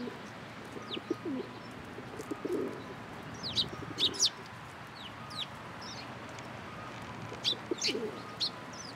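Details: Sparrows gathering in a cherry tree at a Tenmangu shrine on 22 March 2023, giving short high chirps in scattered bursts, with some softer, lower calls in the background.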